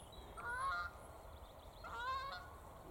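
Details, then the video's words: Geese flying away over spring bluebell slopes near Thirlmere in the Lake District: two bursts of nasal, harmonic honks about a second and a half apart, over a soft outdoor hiss. "You can hear the geese. Right, I'm going to leave that now."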